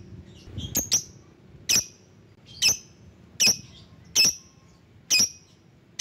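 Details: Lovebird calling rivals: piercing high squawking chirps, a quick double then single notes about every 0.8 seconds, in an otherwise quiet setting.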